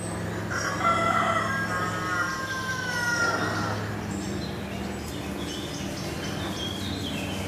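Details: Black woodpeckers rearing young: a sustained tonal, slightly wavering call with several harmonic layers lasts about two and a half seconds, then fades into steady low background hum and faint distant chirps.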